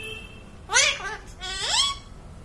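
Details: Parrot saying "Waheguru Ji" in two nasal, speech-like bursts, the second ending in a rising tone, indoors.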